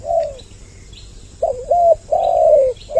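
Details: Spotted dove lure call meant to draw in males and females: three drawn-out, mellow coos, the last slightly falling, with light chirps from other birds in the background.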